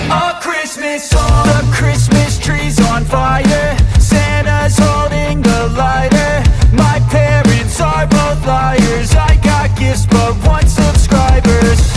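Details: Loud rock music with driving drums, distorted guitar and singing, and no animal sounds.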